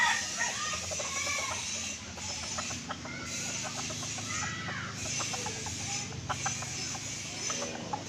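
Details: Lure call of an Aceh red junglefowl for trapping: irregular clucks and short curved notes, sometimes in quick clusters, against constant hiss and a low hum.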